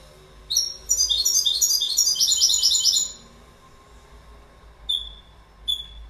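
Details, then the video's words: Goldfinch song as a fast, liquid twittering burst of about two and a half seconds, followed by quiet background and two short, sharp high call notes. "Goldfinch Bird Sound"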